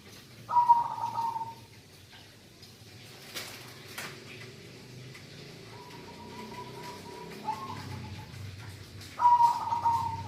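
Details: Local zebra dove singing vigorously: two loud, stuttering trilled coos at start and end, a softer drawn-out phrase between, with a couple of sharp knocks and low rumble.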